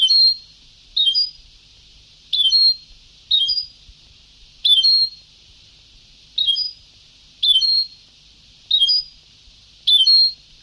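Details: Sebtaoui-style goldfinch song from an old tape: about nine clipped, tinkling phrases with sharp slurred notes, spaced roughly a second apart, steady hiss underneath.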